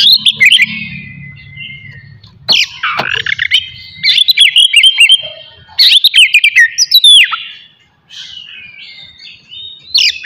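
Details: An Oriental magpie-robin pours out rich song in a morning therapy session aimed at provoking other magpie-robins. Bursts of clear whistles, sharp chips and rapid warbling come in several clusters separated by brief quiet gaps.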